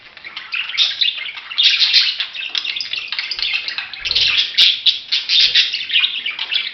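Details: Dense, continuous budgerigar chatter, many fast overlapping raspy chirps and warbles from several birds, loud throughout, with a few sharp clicks.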